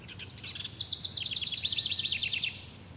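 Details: Wild bird singing in a forest: a rapid, high trill of bright descending notes, repeated about three times a second over soft background hiss.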